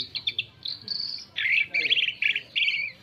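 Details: Varied song of an Asian pied starling, played as a lure for other birds: chattering, buzzy bursts mixed with short clear whistles, in a rapid jumbled sequence of phrases.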